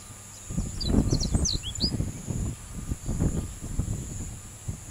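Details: Song of a Japanese reed bunting: a quick cluster of high, slurred, downward-swooping notes early on, then only heavy low-pitched rumble and a constant faint high whine.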